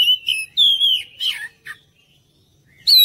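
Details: Oriental magpie-robin song played to coax other birds into responding: a wavering whistled phrase, a long fluting note, a rough chattering burst, a pause of about a second, then a loud high whistle.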